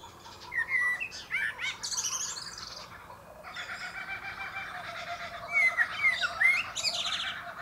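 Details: A male common blackbird (Turdus merula) singing atop a pear tree gives short mellow whistled phrases ending in higher squeaky twitters, with pauses between phrases. Other small birds chirp faintly, and a rooster, an aeroplane and kookaburras are also heard in the recording.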